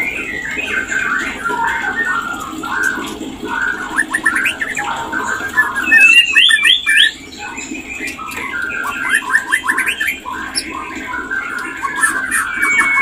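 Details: Breeding-condition mating call of a white-rumped shama: long stretches of fast, jumbled warbling and chips, a bright rising whistle near the middle, a brief pause, then more rapid chattering phrases.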